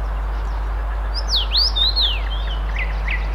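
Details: Common rosefinch in Tsaritsyno, Moscow, Russia, May 2021, giving a short phrase of about six clear, slurred whistles, rising and falling, over a steady low rumble.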